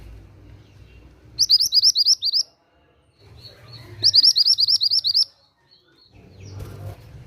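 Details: Mantenan gunung singing, used for luring or training other songbirds: two bursts of about ten quick, high, slurred chirps in rapid series, separated by a pause, over a low background hum.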